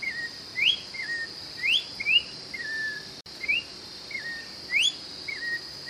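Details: Song of an orange-backed troupial, known in Brazil as joão-pinto or sofrê: clear whistled notes alternating sharp upward sweeps with flatter lower tones in a rhythmic series, backed by a constant high-pitched buzzing drone.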